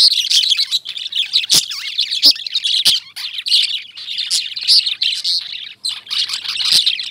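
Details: Lovebirds chirping nonstop, a dense wash of high, piercing squeaks and twitters with occasional sharp snapping clicks and short gaps.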